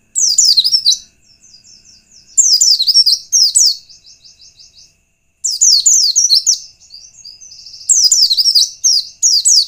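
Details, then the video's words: White-eye song used to lure and provoke other white-eyes: loud, high, rushing phrases of fast zigzag notes, repeated every two to three seconds, linked by softer rapid trilling twitters. "Kurang dari 1 menit pleci lain pasti ngalas bila mendengar pancingan pleci satu ini"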